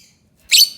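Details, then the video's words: Lovebird uttering one brief, loud, harsh chirping screech lasting about a quarter second. "Suara Burung lovebird"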